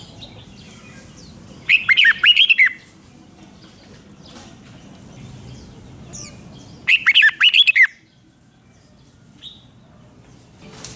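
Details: Thai red-whiskered bulbul giving its doubled five-syllable song style, two clear warbling whistled phrases near one second long, about five seconds apart, over a quiet low rumble.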